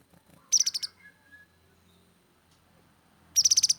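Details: Grey-headed canary-flycatcher singing: two short, sharp, high trilled bursts of about six rapid notes each, separated by nearly three seconds of quiet with faint low background sounds.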